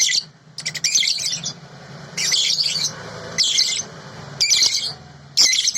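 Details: Clear original recording of a sooty-headed bulbul: five spaced bursts of shrill, fizzy chatter, roughly one each second, separated by quieter gaps with a low hum.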